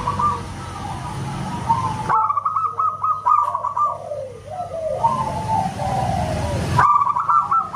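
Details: Local zebra dove, with a loud voice compared to a whistle, delivers rapid hooked coo notes. Stretches of rushing noise break in, and the song resumes in quick staccato bursts.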